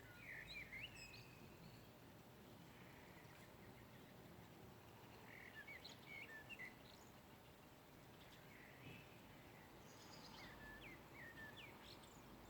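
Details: Birds chirping in the morning in a backyard where an apple tree is in pink blossom; several small birds give quick high chirps and rising whistles in loose bursts over constant low ambient noise.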